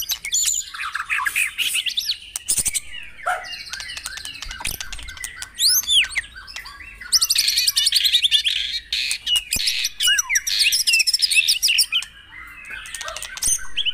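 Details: Long white-rumped shama song used as a morning lure to make caged birds sing: continuous dense chattering and buzzy bursts with looping whistles and fast rattles, almost without pause.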